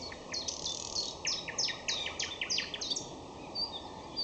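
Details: In May, a common nightingale delivers a loud, rapid series of sharp downward-sweeping notes repeated in quick succession, followed by a few thin high whistles, over faint background hiss.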